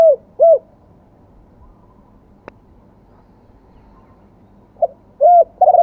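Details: Spotted dove singing in the wild-voice, two-kuk style as a fresh crow: soft hooting coo notes at the start, a quiet gap, then more coos near the end over low background hum.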